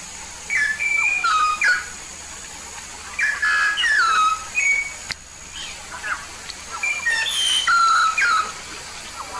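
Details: Papuan yellow-faced myna, an energetic singer, delivers two clusters of ringing, falling whistles and harsh chatter, each lasting about two seconds, with softer notes between them.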